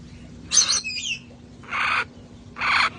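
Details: Sanctuary parrots enjoying time outdoors before cold weather: a screechy squawk with a gliding whistle, then two broad harsh rasping calls spaced about a second apart, over a faint steady hum.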